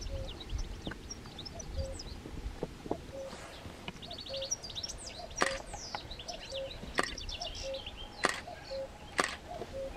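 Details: European bee-eater: bursts of rolling, liquid calls drift in and out over a steady low piping from another bird, with a few sharp clicks, recorded 21 May 2022 at the Soča river mouth.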